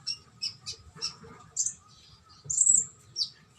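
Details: Konin song made of sharp, high chirps and squeaky notes in short separate bursts, one longer piercing whistled phrase near the end, over a faint low background hum.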